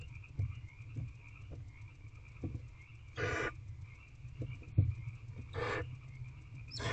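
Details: In a barn owl nest box at night in April 2023, the eldest owlet asserts its claim on a rodent brought by the male: two harsh, noisy hiss-screeches spaced over two seconds, with soft thumps and steady hum between them.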